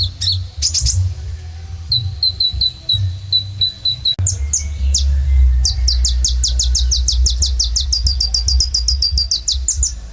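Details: Sunbird, locally kolibri ninja, in gacor song: a few high chirps and a run of short ticking notes, then a rapid rattling sequence of descending high notes about three per second, over a steady drone.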